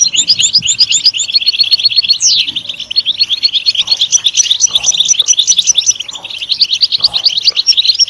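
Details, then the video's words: Goldfinch song meant to encourage singing in kept goldfinches, a rapid run of bright, liquid chirps and buzzy trills without pause, with one sharp rising note partway through and a steady tinkling twitter throughout. "Comprehensive guide to stimulating and singing the goldfinch"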